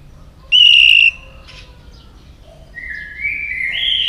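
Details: White-rumped shama song for training and stimulating other shamas: one strong, steady, pure whistle held for half a second, a pause, then quieter whistles that step upward in pitch.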